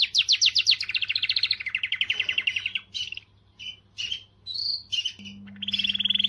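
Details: Canary singing to motivate females: fast trilled phrases of rapid repeated notes sliding downward, then short buzzy bursts and a steady trill, with a faint low hum underneath.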